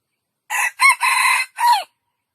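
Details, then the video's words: Loud junglefowl crow in four clear segments: a brief first note, a quick upswept second, a long even held third and a drawn-out downward-sliding last note, about one and a half seconds overall with no other sounds. "jungle fowl best crowing"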